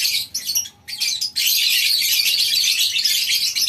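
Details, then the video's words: Lovebirds in a farm colony aviary in the morning: a short burst of high chirps, a brief hush, then a loud unbroken stream of shrill chatter from many birds. "Suasana Pagi Di Peternakan Burung Lovebirds di Kandang Koloni, Suara Love bird"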